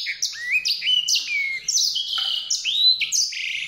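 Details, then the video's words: A White-rumped seedeater pours out a quick, high, twittering song of clear slurred whistles, each note gliding up or down, with no other sounds. "song canário-de-sobrebranco, Weißbürzelgirlitz, Edelzanger, kanárik sivý, zvonohlík šedý, greysinger"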